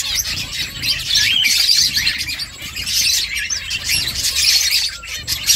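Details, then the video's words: Finches making a nest chirp continuously: a dense wash of quick, high twittering notes from several birds at a fairly even loudness. "Finches chirping sounds Finches making nest"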